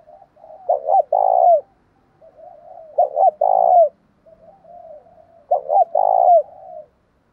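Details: Spotted dove cooing meant to provoke a fight and call in other birds. Three evenly spaced phrases come about every two and a half seconds: two brief coos, then a long, rough, downward-curving coo, with low soft notes leading into each.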